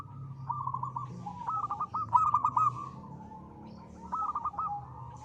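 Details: Local zebra dove singing as a lure for other birds. A soft opening coo leads to a dense cluster of quick staccato notes, then a quiet gap before a final short rolling phrase.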